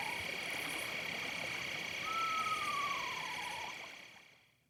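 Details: Eastern Screech-Owl across the Niobrara River, Nebraska Sand Hills, on a warm, still, late-September night under a nearly full moon, giving a quavering whinny sliding down over about two seconds, over a steady high drone of night insects.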